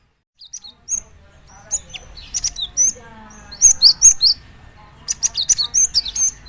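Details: Java sparrow song used to prompt other birds of its kind into lively singing: scattered high chips building into dense clusters of bright, twittering notes and short whistles, some faint lower sounds in between.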